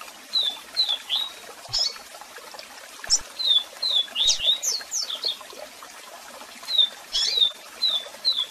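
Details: Double-collared seedeater singing a strong, varied song with calls, recorded with waterfall sound for song training: clear whistled notes slurring downward, quick upswept chirps and short buzzy bursts in steady phrases over constant rushing water.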